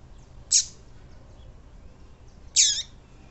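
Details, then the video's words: Calling female Double-collared seedeater, a 'tui tui' piping used to excite males: one crisp high downslurred chirp, then two seconds later a slightly longer, fuller descending note over quiet background hiss. "Esse Piado de Fêmea de Coleiro Esquentar Qualquer Coleiro Bom pra Esquentar Coleiro tui tui Rápido !"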